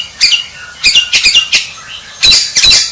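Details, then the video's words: Champion White-rumped shama giving short, harsh, high-pitched chattering bursts with a couple of longer rasping notes toward the end. "Suara Murai Batu Sang Juara"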